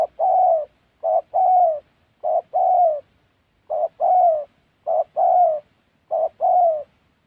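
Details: Deep hoarse coos of a spotted dove during trapping in wild Central Highlands forest, Gia Lai, Vietnam; six phrases, each a quick note followed by a longer slurred coo, spaced about a second apart.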